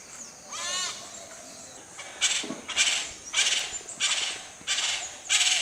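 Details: Sri Lanka grey hornbill, Sri Lanka, giving harsh, high, rasping squawks, about one a second, after an opening wavering, rising note.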